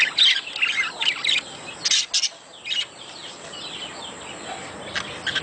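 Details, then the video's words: Budgerigar mating chatter to stimulate breeding: lively scratchy warbling at first, then sparser chirps and short bursts trailing off into quieter background twitter. "صوت تزاوج العصافير الاسترالي محفز ليهم"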